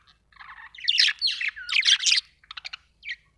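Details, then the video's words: Budgerigar chirping: a buzzy pulsed opening, then loud scratchy warbled notes and a gliding whistle, ending in a few short clipped chirps. "budgie chirping sound"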